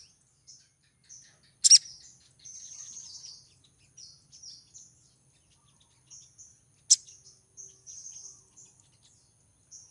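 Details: Female crimson sunbird in breeding condition calling to attract a male: short, thin, high chirps and brief trills repeated irregularly, with two loud sharp clicks cutting through.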